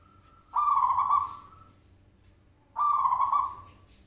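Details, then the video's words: Zebra dove calls played as a lure to make birds answer. Two loud, rolling, trilled coos about two seconds apart, each level in pitch and fading out, against a quiet background. "Pancingan Perkutut Klik Langsung Nyaut"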